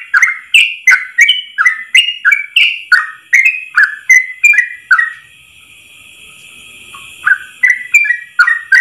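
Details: Yellow-vented bulbul in long 'ropel' style song, recorded as a master for training bulbuls: a fast run of about fifteen sharp whistled notes, a two-second pause with only a faint hum, then five more notes resume.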